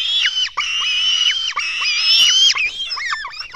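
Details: Black stork young at a nest in Latvia calling as they are fed, 24 June 2016, 04:53: continuous shrill whistled wailing with downward-bending notes, fading into quicker, choppier squeaks at the end.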